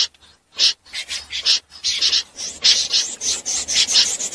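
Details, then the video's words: Snipe calls recorded for night net trapping: a dense run of grating rasps following one another closely after a brief quiet start. "Tiếng dẽ giun lưới đêm"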